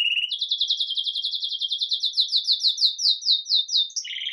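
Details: Belgian canary, red mosaic agate, starting the day lively with bell-style song, recorded live: a fast rolling trill of rapid repeated notes slowly spacing out, ending in a short lower buzzy rattle.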